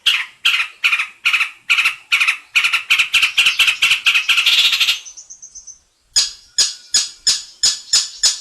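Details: Cendet, the long-tailed shrike, singing 'isian mantan': evenly spaced harsh notes that speed into a buzzing rattle, a soft high trill, then sharp metallic clicks repeated about three per second.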